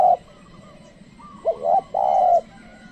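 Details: Luring call of a spotted dove to summon wild birds: the end of one coo, a pause, then a full three-part phrase of short, rising and long sustained mellow notes.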